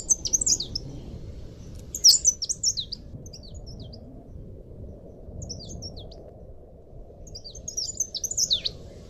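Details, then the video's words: Leaf warbler (cikrak daun / pare-pare), training recording for cage birds: high, thin twittering phrases of quick descending slurred notes, repeated about every two seconds over a steady low background hiss. "masteran burung cikrak daun / pare-pare"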